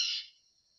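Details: A yellow-headed caracara, called a yellow-crested caracara, gives one harsh, hissing, high-pitched scream that fades within a third of a second. It was heard in March 2026 on a birding cruise to Colombia, Panama, Aruba, Curacao and Bonaire.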